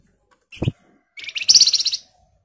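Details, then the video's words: Flamboyan in energetic, rapid-fire ngebren and nyerecet singing, used as a lure to get other birds to answer: a short low thump, then a loud, dense, high-pitched chattering burst of quick repeated notes lasting under a second. "Flamboyan Gacor Emosi Ngebren Rapat Nyerecet Cocok buat Pancingan agar cepat Nyaut"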